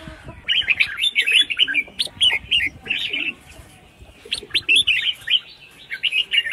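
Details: Caged female red-whiskered bulbul calling to prompt males to sing, giving loud lively bursts of rapid chirping, warbled notes, one pause midway, then more clustered bright chirps.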